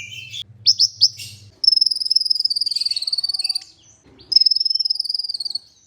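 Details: Olive-backed sunbird in an Indonesian masteran recording: a few short high chips, then long, fast, even trills of high buzzy notes, held for about two seconds, broken by a brief gap.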